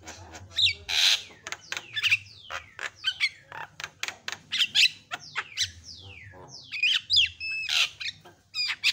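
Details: Varied Javan myna song used as a tutor recording to excite other mynas. Dense, energetic chatter of clicks, downward-slurred whistles and rasping squawks, with brief gaps throughout.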